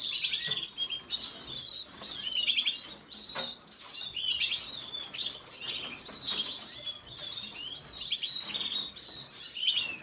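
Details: Red siskin song in repeated bright twittering bursts every second or two, quick chirps and sharp clicks, continuing for ten seconds.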